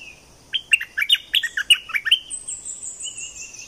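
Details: Streak-eared bulbul of southern Thailand in full voice, giving a fast run of gurgling, rising and falling chirps, about ten notes in under two seconds, then a long, thin high tone.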